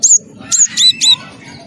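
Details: Wingko-type cinereous tit, a prolific singer, used to draw other birds into song: four loud, high whistled notes in quick succession, each sliding downward, over a soft low background rumble.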